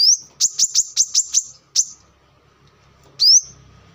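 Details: Brown-throated sunbird, recorded as a lure or song model for training birds: a quick run of six piercing chips, a lull, then one bright rising whistle over a faint low hum.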